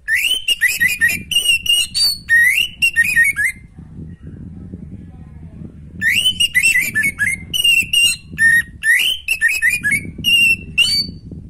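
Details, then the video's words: Two long bursts of loud, varied orange-headed thrush song, quick looping whistles and clipped notes, separated by a two-second pause filled only with a low hum. Meant to stir a thrush lacking breeding drive into singing. "Anis macet kurang birahi auto respon pakai suara video ini"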